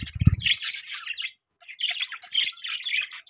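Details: Pet budgerigars in the morning, a busy stream of chattering chirps and warbles in two bursts separated by a short pause, with a low thump at the start.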